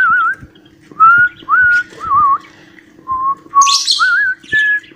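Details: Cockatiel whistling an imitated tune, Johny Yes Papa: a sequence of clear, wavering, mid-pitched whistled notes with short pauses between them, plus one brief harsh burst near the end.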